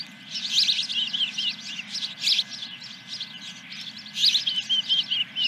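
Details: Osprey at a nest on Dunrovin Ranch, 10 July 2021, morning around a first fish delivery: rapid high, sharp chirping notes in loose bursts, with a quieter steady low rumble beneath.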